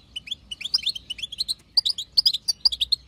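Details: Wild female European goldfinch chatter, called batbata, played to stir a male into song: quick bright twittering notes in close runs, with a short pause near the middle, over a quiet background.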